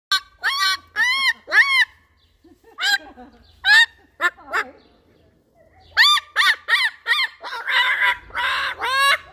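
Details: An excited cockatoo outdoors gives loud, harsh, honking squawks in quick bursts: three rapid calls, a few rougher ones, then a longer run of raspy shrieks.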